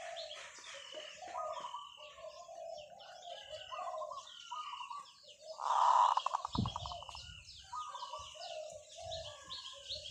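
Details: Zebra dove long call: after about six seconds a single loud, bubbling coo trails off into rapid pulses. Many other birds chirp and whistle throughout, and a low thump is heard.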